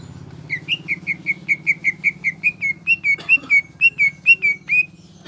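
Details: Greater green leafbird in energetic song, repeating clear whistled notes steadily, roughly three per second, the later ones rising slightly in pitch, with a low hum beneath and a short click near the middle.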